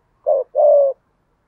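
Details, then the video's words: Spotted dove used as a lure bird, singing in the Vietnamese 'giọng thổ' voice style with urging coos: one short, low coo followed by a longer, steady, mellow coo. Otherwise quiet. "cu gáy giọng thổ thúc gù đẹp mã hót hay mở lên kích bổi hiệu quả"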